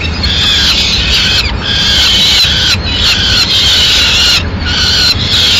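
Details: In Madrid on 6 May 2016 a female peregrine falcon brings a pigeon to the nest. Repeated grating, screeching wails of about one second each follow one another closely over a constant low rumble.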